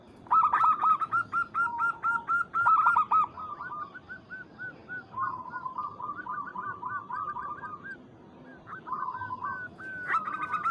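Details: Zebra dove of a local strain calling to a rival, giving long runs of quick staccato coos, loud at first, then softer trilled phrases, continuing throughout with slight background hiss.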